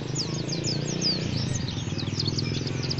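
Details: White-eye singing rough chirping: a rapid, continuous stream of thin, high, slurred chirps, densely packed and overlapping throughout, over a steady low hum.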